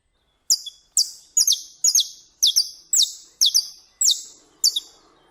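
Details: Wild Saffron Finch (Canário-da-terra) from Brazil, singing a steady run of about nine crisp, high, down-sweeping notes, roughly two per second, some doubled, with a clean quiet background.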